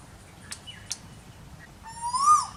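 An Asian koel gives a single loud whistled note that swoops upward and eases off, after two sharp clicks and soft background hiss.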